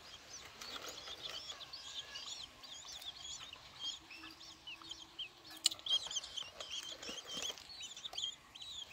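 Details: Long-tailed shrike chicks aged six days, fed by hand, utter soft, high-pitched squeaks in irregular clusters, quieter and more scattered, with a few sharp clicks.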